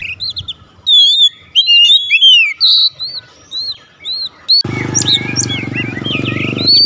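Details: Oriental magpie-robin, called kacer, singing straight away in the style known as nembak: bright whistled phrases with rising and falling slurs and quick notes, broken by short pauses, then a loud rumbling noise runs under the song for the final two seconds.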